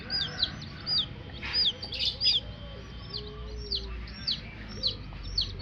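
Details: Baby chickens chirping: high piercing peeps dropping in pitch, uneven in timing, with a short burst of scuffling noise near the middle and a soft, longer lower note later on.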